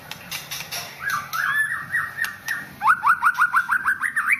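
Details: White-rumped shama, a national contest champion, singing clear whistled phrases: first a series of wavering mid-pitched notes, then a fast run of about ten rising whistles repeated several times a second, ending on a higher upward sweep.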